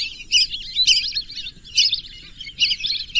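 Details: Short bursts of piping, high whistles from lesser whistling ducks, recurring roughly every half second in clustered pulses over soft background noise.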